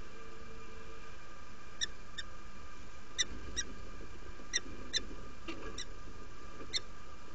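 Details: Peregrine falcon female just arrived at her Derby, UK nest, inviting, 17 February 2017, 07:47 in the morning: clipped, bright calls, single or in close pairs, spaced about a second apart against constant background hum.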